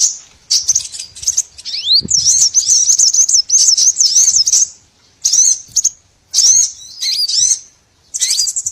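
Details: Small birds heard as a trapping lure, a rising thin whistle opening into a busy stretch of high twittering slurs, then separate clusters of chirps with short silences between.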